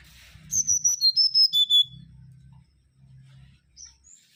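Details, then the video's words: A lively mangrove whistler (Pachycephala grisola) gives a rapid series of about seven piercing whistles. They drop in stages to a lower pitch, followed by one short upslurred note, over a faint low hum. "Kancilan Bakau Gacor"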